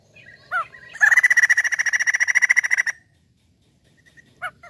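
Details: Lure recording of a chatty white-crested laughingthrush: a short whistled note, then a two-second burst of rapid, evenly repeated harsh chattering notes, followed by quiet and one brief call at the end.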